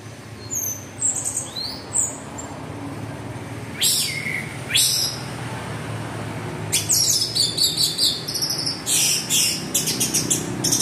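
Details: Orange-headed thrush delivering 'teler' style lure song to spur other thrushes: sparse high whistles, a few loud harsh notes, then a dense fast sequence of sharp chattering and bright chirps.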